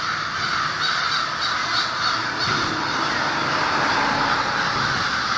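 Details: Over 1500 American and Fish Crows wake in a winter overnight communal roost above the Merrimack River in Lawrence, Massachusetts, before sunrise. A dense, continuous chorus of harsh, overlapping caws calls loudly without pause.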